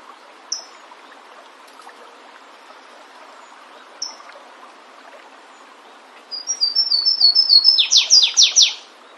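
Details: Flavescent warbler in nature giving two isolated sharp high notes several seconds apart, then a full song of quickening thin whistles finishing with four loud descending slurs.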